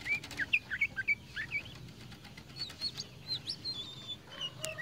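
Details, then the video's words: A tame kacer poci Oriental magpie-robin in lively song: a rapid string of clear whistled notes and slurred chirps, loudest at the start, then softer thin whistles over a faint low background hum. "KACER POCI JINAK GACOR"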